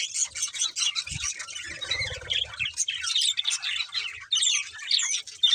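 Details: Chirping budgerigars keep up a continuous buzzy, squeaky warble with occasional harsher squawks and a short low rumble around two seconds.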